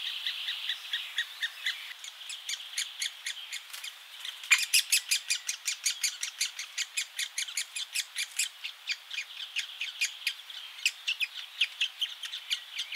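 Great spotted woodpecker giving sharp, dry 'kik' notes in a fast run of three or four a second, with a soft hiss of other birds behind.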